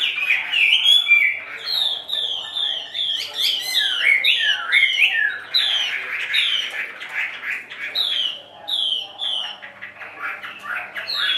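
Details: Caged Chinese hwamei, the left bird, in full song: loud, varied whistled phrases of swooping up-and-down notes, rich and melodic, repeated in quick bursts throughout with short gaps.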